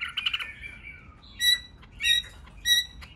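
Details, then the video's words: White-rumped shama song played to stimulate shamas into singing. A quick warbled trill slides downward, followed by three short, ringing, pure whistled notes spaced about half a second apart. "Kích Chòe lửa hót nhiều giọng,Căng lửa,chòe lửa đánh đuôi kích cực nhạy.luyện chòe lửa hót"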